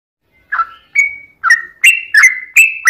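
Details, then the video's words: Yellow-vented bulbul giving a long, rapid song used to provoke other bulbuls into singing: a quick run of seven bubbly, slurred whistled notes, some rising and some falling, spaced about a third of a second apart against a quiet background. "trucukan gacor ROPEL PANJANG buat pancingan trucukan agar bunyi"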